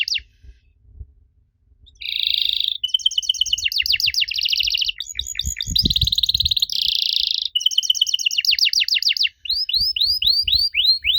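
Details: Canary song meant to trigger answers from young canaries: after a brief quiet start, buzzy rolls alternate with fast trilled sweeps and rising slurred notes, tightly packed with only brief breaks.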